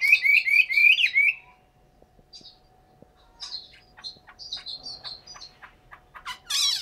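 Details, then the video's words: Chinese hwamei kept caged in Hanoi, Vietnam, gives a quick burst of four loud rising whistles lasting just over a second, followed by quiet scattered clicks and a final harsh note. "chim họa mi"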